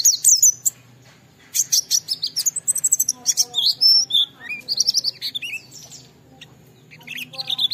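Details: Oriental white-eye used as a lure for other white-eyes, with varied high chirps, trills and whistled slurs in quick, uneven runs.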